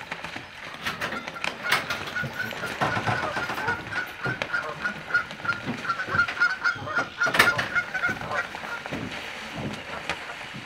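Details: Canada geese fighting, giving loud harsh honks in rapid irregular bursts with a steady higher nasal tone running through the middle, against a noisy outdoor background.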